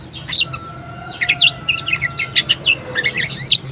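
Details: Budgerigar song, recorded as a lively master song for teaching other birds: rapid high warbling with twisted chirps and squeaks in quick bursts, a faint thin whistle running beneath, low background hum.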